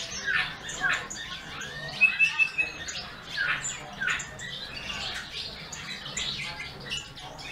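A bullfinch sings a soft, halting medley of creaky squeaks and scratchy notes, with a brief clear piping whistle near the middle.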